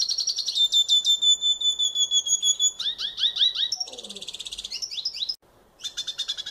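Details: Venezuelan goldfinch singing in the wild: long thin high whistles held for two seconds, then quick rising slurred notes, a burst of high buzzy chatter and fast repeated trills, rapid and bright throughout.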